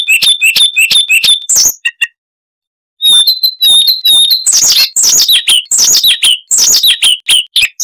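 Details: Siberian rubythroat singing, a small insect-eating songbird: rapid twittering with steady whistled notes, a one-second silence, then a fast burst of scratchy, buzzy and whistled notes in varied order.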